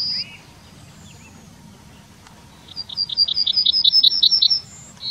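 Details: A Yellowhammer singing in the town of Wittlich in 2019: a quick run of about a dozen thin, high, repeated notes, then a drawn-out higher note; the next phrase starts as it ends.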